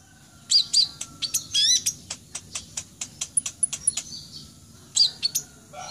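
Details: A young red-breasted sunbird (kolibri ninja dada merah) in full song: a rapid string of sharp, high chirps and thin whistled notes, about three per second, with faint background hiss.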